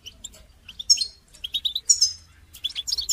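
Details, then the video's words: Short burst of goldfinch song for training: quick ascending chirps, bright metallic notes and fast twittering trills running together. "goldfinch song training"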